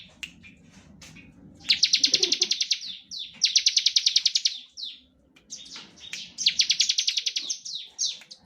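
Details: High, rapid, buzzy rattles of a bar-winged prinia, played to spur other birds into singing, come in three bursts with short gaps between, after a quiet start with faint low background noise.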